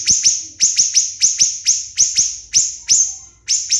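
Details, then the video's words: Tutor recording of a siri-siri bird used for songbird contests: high, piercing notes dropping sharply in pitch, often paired in quick doublets, with short gaps between bursts. "MASTERAN BURUNG SIRI SIRI GACOR TEMBAKAN RAPAT"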